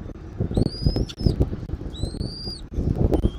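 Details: Nest-cam recording of an eagle in Southwest Florida, 13 January 2024 at 14:17. Two drawn-out, slightly rising high whistles about half a second each, then a short third note, with deep wind rumble throughout.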